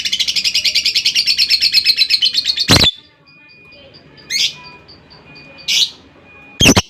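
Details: Lovebird in long ngekek chatter: a fast, even, rattling series of harsh notes lasting nearly three seconds, then three separate loud shrill squawks, over a steady faint high whine.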